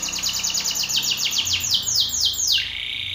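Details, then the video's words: Belgian canary male singing strongly against a rival: a clear roll of about a dozen repeated falling whistled notes, spacing gradually widening, closing on a lower sustained tone. "Canário belga BRAVO CANTANDO FORTE na cara de outro macho"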